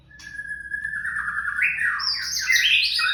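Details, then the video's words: Young white-rumped shama singing: a long steady whistled note that slides upward into a richer, warbling phrase, ending in bright high fluty notes, with a quiet background. "Trakk tipis” murai muda"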